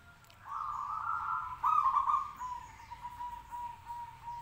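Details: A local zebra dove sings at about 7:55 in the morning, a song meant to provoke other doves to answer: a soft, trilled coo, then a long, steady tone with a slight waver, in a quiet background.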